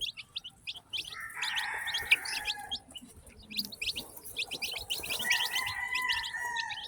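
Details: Newly hatched chickens in a batch peeping constantly, with rapid, high, sharp chirps in scattered bursts and a fainter drawn-out crow-like tone in the background.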